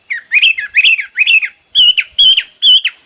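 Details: Hwamei singing varied styles: slurred whistled phrases that rise and fall, then three clearer sustained whistles with short breaks, about two phrases per second.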